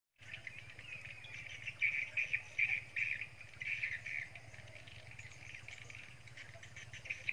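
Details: Green pigeon (punai) before sunrise giving wavering, fluty whistled phrases in short bursts every second or so, over a steady low hum and faint insect buzz.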